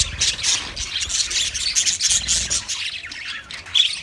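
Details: Budgerigar chatter of buzzy warbles and harsh squeaks in quick succession, ending with a few bright high chirps.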